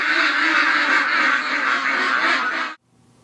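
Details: Domestic ducks in a yard around 6:30 in the morning, as the owner greets them: a dense, harsh, continuous chorus of quacking lasts nearly three seconds, then cuts off abruptly into near silence.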